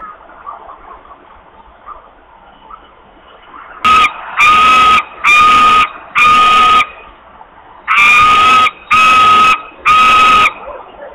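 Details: Food-begging screams of a hungry osprey, Włocławek, Poland, 8 August 2021 at 13:48: after several seconds of low background hum, seven loud harsh screams follow, each lasting over half a second, about one per second.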